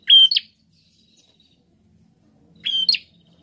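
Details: Two bright phrases from an actively singing prinia, more than two seconds apart, each starting with a flat high whistle and ending in a harsh buzzy flick.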